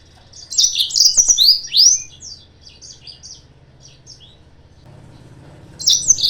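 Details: Lure song of a yellow-fronted canary, meant to provoke rivals. An energetic phrase of high chirps and sweeping, slurred notes is followed by quieter scattered notes, a pause with a low background hum, then a fresh loud burst at the end.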